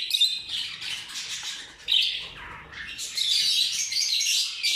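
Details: Purple lutino mutation rose-ringed parakeets, a group of birds, giving loud, harsh, high-pitched chattering screeches that run almost continuously, with a brief dip in the middle before the noisy calling swells again.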